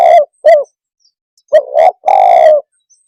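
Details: Spotted dove calling to rile other birds: two falling coos, a short gap, then a full phrase of two hollow coos ending in a long vibrating purr.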